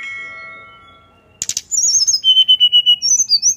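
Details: Sunda forktail giving a 'nyuling' song, a flute-like style sung to prompt another bird to join in. A sharp burst opens a run of high, thin whistled notes that step downward, then steady repeated whistles about four per second.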